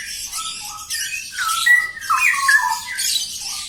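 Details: Straw-headed bulbul pair in full song, giving rich whistled glides that drop and rise between brief gaps, mixed with rough, broadband squawky notes in short rushing bursts.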